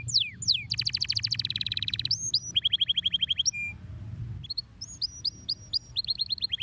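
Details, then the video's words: Canary stimulating song for other birds: falling whistles, a long fast trill, repeated descending notes, a short pause, then a series of high upslurred chips and quick trills. "canários são bons para estimular o som de pássaros preguiçosos"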